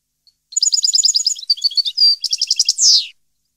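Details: Goldfinch song from 2015, a lively run of tinkling twitters, a pure drawn-out whistle, a quick rattling trill and a final rasping descending buzz, all bright and high-pitched.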